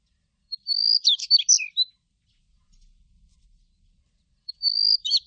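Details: Daurian redstart song: a thin, high whistled note that leads into a quick burst of scratchy, chirping twitters, about 1.3 seconds long. A second phrase begins near the end. Quiet background otherwise.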